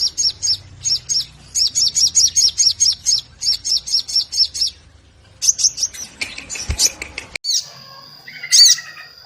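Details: Crimson sunbird (sogon) 'crecetan' chatter meant to draw other sogon into song: rapid clusters of high chips repeated for about five seconds, then a jumbled noisy stretch and one loud sharp call over a steady high tone.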